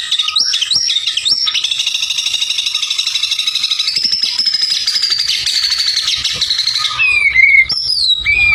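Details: White-rumped shama in gacor isian song: a few whistled notes, then a long continuous high buzzy trill, ending in varied sharp whistled phrases.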